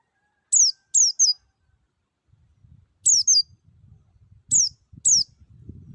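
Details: Wild white-eye lure song, meant to coax caged white-eyes into opening their beaks and singing: three thin, high, downslurred notes, then a pause, a double note, and two more separate notes, over faint low rumbling.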